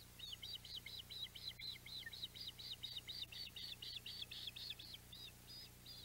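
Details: Ospreys at a boathouse nest on a July day when a mackerel was brought in: a steady series of about twenty short, high, chirping whistles repeated roughly four per second over a low constant hum.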